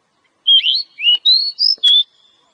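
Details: Oriental magpie-robin from the wild, a fighter bird with the ngobra song style: varied whistled phrases that swoop up, dip and rise again, broken by sharp clicks, with a steady whistle at the end.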